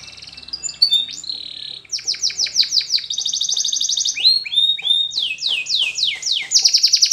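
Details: Spanish Timbrado canary song for training silent canaries: changing tours of a steady held tone, chopped notes, a fast buzzy trill and sweeping downward slurs, closing with a dense high roll.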